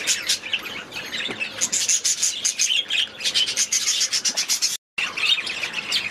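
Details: A group of budgerigars in their aviary twitters busily, with scratchy warbles and bright chirps rising in clusters; the sound cuts out completely for a split second near the end before the chatter resumes.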